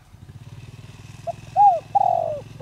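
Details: Spotted dove kept as a decoy in the 'giọng đồng' voice style to provoke others: a short note, a rounded coo and a long, slowly falling purred coo over the steady throb of a running engine.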